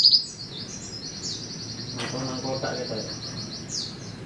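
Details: White-eye giving a long, thin, high trill held on one pitch for several seconds, with a few quick downward-swept notes at the start and end; a brief burst of human speech partway through.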